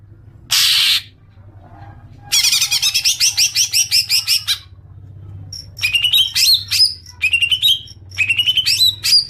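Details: Greater green leafbird call played as a lure for long chattering: one harsh burst, then a rapid rattling series of scratchy notes, followed by sharp rising whistled phrases in short groups.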